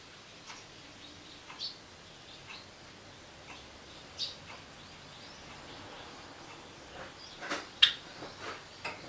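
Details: Pet male Java sparrow at home, calling on hearing a door as two family members return, 30 September 2014, camcorder recording with volume tripled: sparse, sharp, short chirps at irregular intervals, clustering more loudly near the end, over a quiet room hiss.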